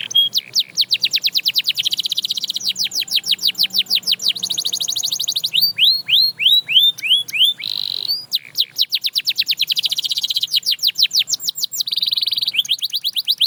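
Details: Long canary song meant to inspire others to sing: a chain of rapid trills and swooping notes, with buzzy bursts and rising sweeps at changing speeds, sustained and loud throughout.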